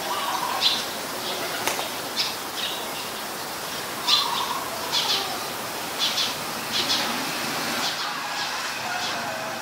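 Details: Eurasian tree sparrow (Passer montanus), a very common resident, recorded 10 May 2020 in Ubon Ratchathani, Thailand: short bright chirps scattered irregularly across the clip, with a few lower blurred notes and steady background hiss.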